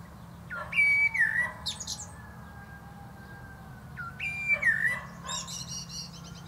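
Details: Common blackbird, a male, perched atop a plum tree and singing: two fluted, slightly falling whistled phrases, each closing in a thin high twitter, about three seconds apart.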